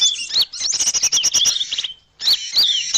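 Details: Small birds calling on a lure recording. A quick rising and falling high twitter gives way to a run of rapid, sharp chirps. After a short pause, the high warbling returns.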